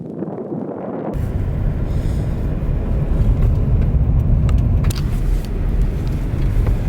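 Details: A loud car engine rumbles throughout, with a few sharp clicks, and no animal sounds are heard.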